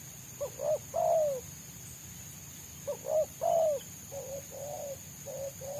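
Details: Spotted dove in the wild, its dense, fast selang nguku song sought after by trappers: paired coos end in a long drawn-out downslurred note, the phrase repeated, then fainter coos, with a steady high hiss behind.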